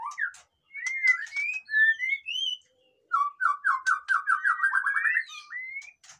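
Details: Captive white-rumped shama in loud song meant to rouse birds that are lazy to sing: rich whistles, rising slurred notes, then a quick run of about a dozen repeated descending chirps, ending with clicks and a rising whistle.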